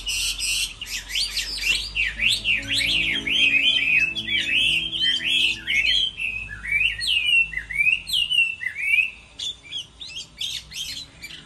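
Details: Chinese hwamei in a singing contest during the moulting season, pouring out a loud, rapid run of rich whistled and slurred notes rising and falling, easing to looser phrases toward the end.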